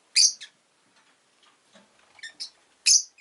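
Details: A pet rosy-faced lovebird, one of a newly arrived pair, calls in loud piercing shrieks: a strong burst, several quieter squeaks, then another loud shrill blast, in a quiet room with faint distant sounds.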